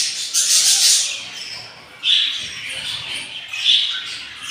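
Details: Begging from hungry budgerigar chicks on day four after hatching, three of eight eggs hatched: harsh raspy squawks in bursts, a long hiss followed by two shorter raspy calls roughly a second and a half apart.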